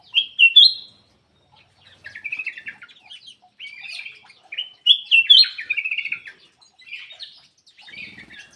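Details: Ruby-throated bulbul singing in loud bursts of clear, rising whistled notes followed by buzzy chattering runs, with brief pauses between phrase groups over about eight seconds.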